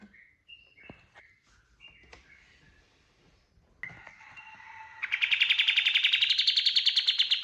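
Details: Kapas tembak bird lure song for training birds: scattered short whistles and clicks, then a quickening, swelling burst of rapid repeated notes in the gacor tembakan style, rising slightly in pitch.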